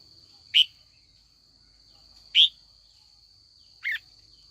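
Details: Trained female red-whiskered bulbul calling in the afternoon to stir older wild-caught males into a singing duel: three separate short bright chips, spaced roughly every one and a half seconds, the last softer, over a constant high-pitched whine.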